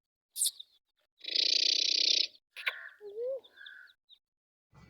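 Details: Young first-season male Black Francolin kept in a cage, calling in weak winter sunshine amid Punjab fog: one rasping, buzzy note held for about a second, followed by clicks and a short rising whistle.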